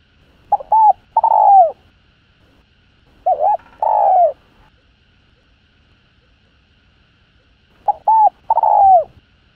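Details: Calling spotted dove in the hạp bổi voice, used to stimulate other doves. Three evenly spaced phrases, each a short doubled note followed by a longer mellow coo that slides downward, separated by silent gaps.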